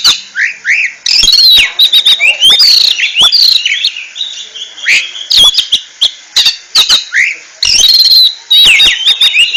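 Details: Oriental magpie-robin singing in the ngentrok style: rich, varied high whistles and sharp chirps with rising and falling slurs, delivered in dense bursts separated by brief pauses, plus loud clicking ticks.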